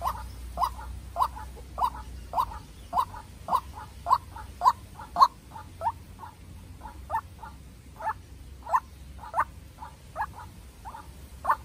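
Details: Long bout of repeated croaks, around twenty over nearly twelve seconds, from a young farm-raised decoy White-breasted waterhen in a heated duel with a wild bird; rhythm steady near two notes per second, low hum beneath.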